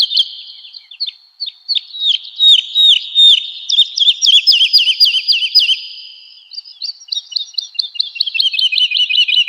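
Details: Woodlark song used as a training recording for cage birds: a fast, loud run of sharp, repeated whistled notes in descending slurs, closely spaced, shifting into a quicker trilled series of clipped notes near the end.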